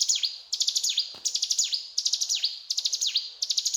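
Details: Mountain tailorbird in lively full song: rapid bursts of high, sharp chirps, each phrase ending in a downward-swooping whistle, repeated about every half second.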